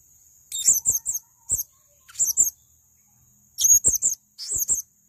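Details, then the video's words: Male blue-crowned hanging parrot in energetic gacor song, a tutor recording: thin, piercing high chips grouped in quick bursts of two to four, with roughly half-second gaps between bursts and a faint steady hiss underneath. "Masteran Burung Serindit Jantan Untuk Gacoran"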